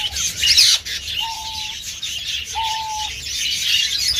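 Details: Male diamond dove, kept as a cage bird, giving two drawn-out, level cooing notes about a second apart, soft and tonal, over constant high twittering and chirping from other birds nearby.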